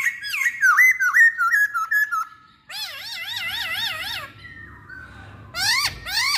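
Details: Masked laughingthrush song serving as a lure for other laughingthrushes: quick slurred whistles, then a long warbling trill of wavering notes, a thin held tone, and a final burst of sharp descending notes.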